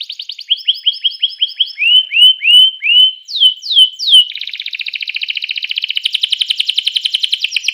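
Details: Canary singing to stimulate other canaries to sing: a string of repeated chips, slurred rising and falling whistles, then a long rapid buzzy trill that steadily gets louder.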